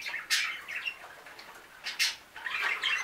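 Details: Five new budgerigars chatter together in bright, scratchy chirps and squawks, with sharp bursts at about a third of a second and two seconds over continuous warbling.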